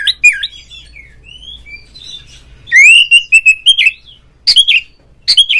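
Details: Oriental magpie-robin lure song to provoke a rival kept bird; soft curling whistles, then a loud rising whistle into a fast string of clear repeated notes, ending with sharp scratchy calls.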